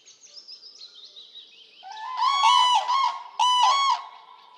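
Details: Common crane, Poland: two loud, resonant bugling bursts, each split into rolling pulses, after a quiet lead-in of thin, high bird twitters.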